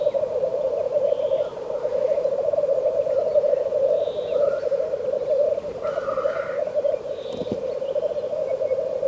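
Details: Black grouse in a frosty landscape, giving a steady low bubbling chorus that runs unbroken through the whole stretch, with a few faint higher bird notes above it.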